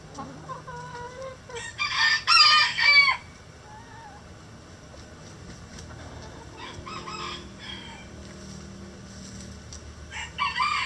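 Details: Mixed-breed laying hens in the coop: a loud harsh squawk burst near two seconds, softer calls and clucks scattered around it, and a faint buzzy squawk at the end, with steady low background noise.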